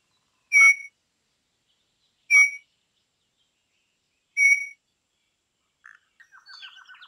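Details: Campo troupial, an imported bird, in a rarely known tutor recording for training songbirds: three loud, clear whistled notes about two seconds apart, each ringing and slightly buzzy, followed by a soft, quick run of chattering notes.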